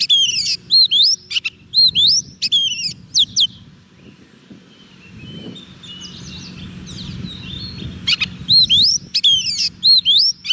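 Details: Soft-food-fed Oriental magpie-robin singing to lure wild birds: crisp rising whistled notes repeated in quick series, then several seconds of rumbling background noise, before the bright looping whistles return near the end.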